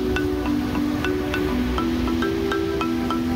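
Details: Soft music with sustained low tones and regular light mallet-like taps, over a steady background hiss; no animal voice is heard.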